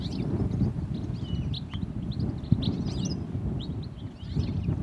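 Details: European goldfinch, a single bird perched on a wire above the road up to Redmires in the Peak District, UK, giving rapid high twittering chirps and slurred, buzzy notes in loose bursts over a steady low wind rumble.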